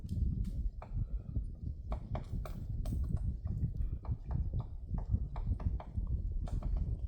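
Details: On Namsan in Chungju, 7 February 2026, a woodpecker pecks at a tree, giving many crisp knocks in uneven bursts, sometimes two or three close together, against constant low background rumble.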